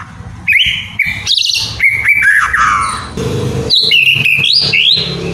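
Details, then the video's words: Song of a white-rumped shama, used to make lazy caged birds sing: loud whistled phrases stepping between pitches, quick high flourishes and sliding notes, continuous throughout, with low background rumble. "DENGERIN SEBENTAR,,EPEKTIF, BIKIN ,//MURAI MALES BUNYI..JADI GACOR PLONG"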